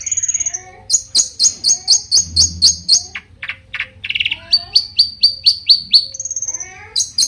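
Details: Mimicking variations sung by a long-tailed shrike to draw replies from other shrikes: rows of sharp, high downslurred chips repeated about twice a second, broken by buzzy harsh notes and soft slurred whistles.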